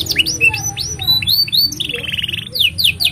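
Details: Canary pouring out a varied master song for young canaries and mute birds to copy; quick upslurred whistles, a short rattling trill, then rapid sweeping notes, over a soft background hum.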